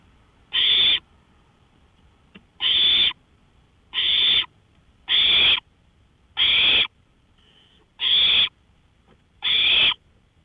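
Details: Owl on a porch in the night at 1:53 AM, May 5, 2013, giving seven harsh, hoarse hissing bursts about every one and a quarter seconds, plus one faint softer hiss, with an otherwise silent background.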